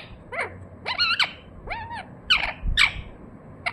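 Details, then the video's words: Pet rose-ringed parakeet making its natural sounds: a series of short screechy notes, some rising and falling in arcs, spaced unevenly over a few seconds, with low room rumble. "RINGNECK PARROT NATURAL SOUND"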